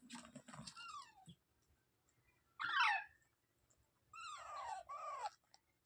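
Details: Parrot giving a few quieter screechy calls: a descending note amid low murmuring noise, then a loud short squawk, then a longer wavering raspy call after a pause.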